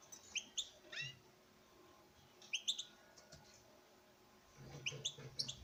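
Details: European goldfinch male, bred in captivity, courting his mate with scattered high chirps and slurred notes in two short bursts, quiet between them, plus soft background rustle.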